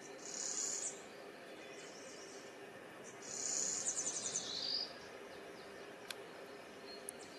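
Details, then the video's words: Yellow warbler singing in the wild: two high, thin, rapid trilled phrases about three seconds apart, the second ending in a quick slurred rise, over steady low background noise. "Suara Burung Yellow Warbler |Warbler Kuning Di Alam"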